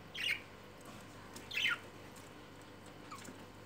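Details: Budgerigar calls during courtship after mating: two squawking chirps about a second apart, then a faint third note against low room hiss.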